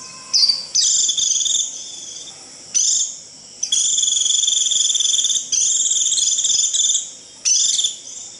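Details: Japanese white-eye giving the shrill 'rít' call used to call the flock and draw in wild birds: high, buzzy, rapidly pulsed trills of one to two seconds, separated by short gaps, with a faint lower whistle early on.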